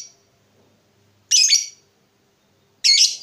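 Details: Lovebird making harsh, high chattering squawks in two short bursts about one and a half seconds apart, with silence between them.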